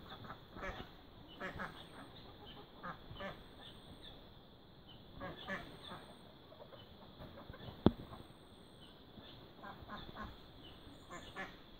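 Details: Mallard with newborn ducklings at feeding time, giving scattered low nasal quacks in short bursts, separated by pauses of a few seconds, with thin high peeps, a constant hiss and one sharp click.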